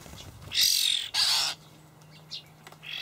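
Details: Begging young common starlings being fed by adult birds in a Hamburg garden plot, late May 2012: two long, loud, grating screeches back to back, then quieter short rasps, with a low hum.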